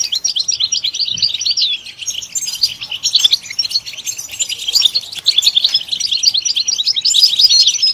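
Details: European goldfinch singing: a rapid, continuous twittering of high, tinkling notes and short buzzy trills, dense and unbroken across the whole stretch, with no other clear sounds.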